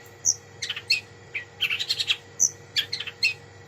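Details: Long-tailed shrike song with a rich filling of varied material: short bursts of shrill chirps and high whistled pips, separated by brief gaps, against a quiet background with a faint low hum.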